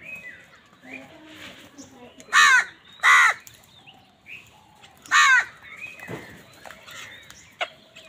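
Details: Crows competing with wild birds for food: three harsh, drawn-out caws, two close together then one after a pause, with softer scattered bird calls and chatter around them.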